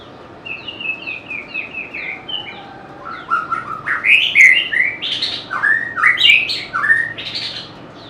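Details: A White-rumped shama sings a soft series of repeated downslurred chips, then breaks into louder, fuller whistles and buzzy flourishes that climb and fall for several seconds.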